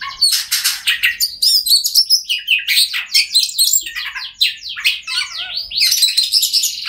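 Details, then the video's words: Oriental magpie-robin song played to prompt silent birds to sing: a rapid, varied run of loud whistles, sweeps and chattering notes, high-pitched and nearly continuous, with no other clear sounds. "Kacer Bisu, Dijamin Bunyi Setelah Mendengarkan Suara Kacer Ini.."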